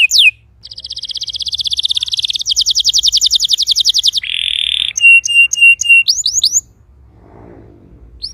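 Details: Canary singing, used to encourage a silent canary: a sharp note, then a long accelerating dry trill, a harsh buzzy segment, short clipped whistles and rising sweeps, ending in near silence with faint noise.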